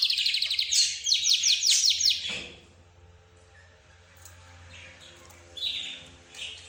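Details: Budgerigars, lovebirds, zebra finches and canaries chattering together: a loud burst of fast repeated chirps over the first two seconds, then quieter scattered tweets and short twitters against a low hum.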